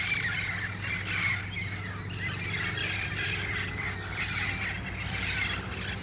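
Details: Wild red-crowned parrots gathering at dusk in El Cajon on August 1, 2018, before heading to nearby roost trees; overlapping harsh squawks and screeches from many birds form a continuous chorus over a steady low hum.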